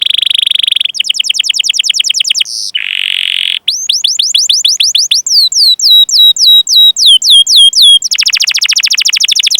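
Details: Long canary song with cuit-cuit chirps and rolling trills, played to train young or non-singing canaries: steady high trill, runs of fast descending sweeps, a brief buzz, then spaced chirps and a final dense rolling trill.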